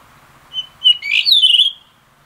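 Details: Blue rock thrush in late-afternoon song, two brief clear whistles leading into a rich rising-and-falling warble with rapid trilled ending.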